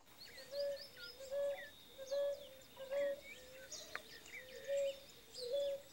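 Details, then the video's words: ['Male ruddy ground dove singing to mark territory while the female incubates the eggs: a steady series of short, low, soft coos repeated about every 0.8 seconds, with many high chirping birds and insects in the background.'] "Rola caldo de feijão demarcando território."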